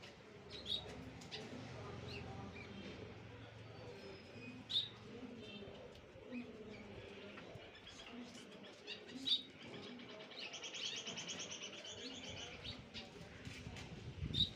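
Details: A tame cockatiel gives short, sharp chirps and a longer rasping call over a low indoor hum.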